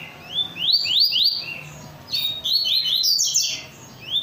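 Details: Energetic song of a rusty-collared seedeater: bright whistles swept upward in quick groups of three or four, broken by short pauses, with the pitch climbing higher in later phrases.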